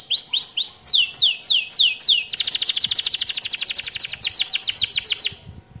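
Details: Canary (Serinus canaria) song opening with a few slow, high downslurred whistles, then breaking into a rapid, dense rolling trill that slows into separate notes before fading.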